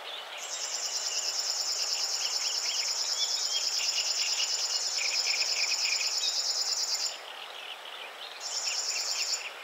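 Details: River warbler delivering a long, steady, sewing-machine-like buzzing trill of regular pulses for about seven seconds, pausing briefly, then starting again; other birds twitter quietly in the background throughout.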